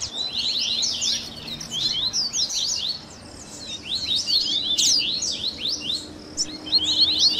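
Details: Double-collared seedeater 'baderna', a mixed chorus of coleiro song styles (tui tui, grego, viviti, flauteado, 3ª nota) for warming up and training captive birds: rapid overlapping high chirps and slurred notes, with a brief quieter gap midway.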